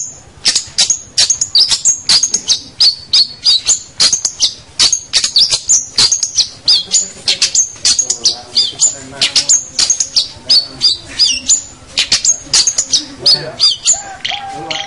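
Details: Long-tailed shrike, locally called cendet or pentet, singing a lively, energetic song of rapid high, sharp whistled and chattering notes, varied and densely packed, continuous throughout with brief pauses.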